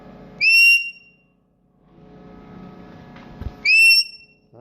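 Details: A pet rose-ringed parakeet, kept as a singing and whistling parrot, gives two loud, clear, slightly rising whistles about three seconds apart, with a soft indoor murmur between them.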